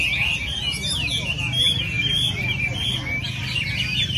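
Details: Hwamei song from an early-December weekly training session: a continuous stream of bright, twisting whistles and slurred notes, steady in loudness, over a low background hum.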